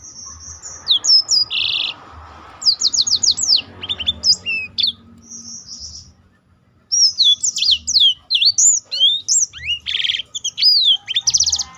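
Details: Black-throated canary delivering varied song to stimulate other birds, clusters of fast downslurred whistles and buzzy trills separated by short pauses, including a one-second silent gap before a final lively stretch.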